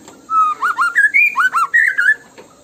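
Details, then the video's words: White-rumped shama 'tembakan' lure song, delivered as one short, clear phrase of fluty whistles rising and falling in quick succession. "PUTAR PANCINGAN MURAI BATU INI LANGSUNG BUNYI GACOR FULLISIAN!"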